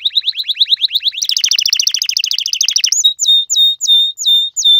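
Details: Male canary singing, a song said to court females and to hold his place among other males, in a clean, loud, high run of rapid trills that quickens midway, then switches to slower, repeated, looping whistled notes.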